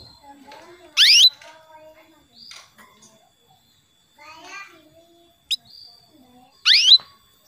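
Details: Female canary calling to a male, played as a lure to excite male canaries into song: three loud, separate upward-sweeping high calls, the first and last bursts strongest. Softer chatter and faint voices fill the quiet gaps.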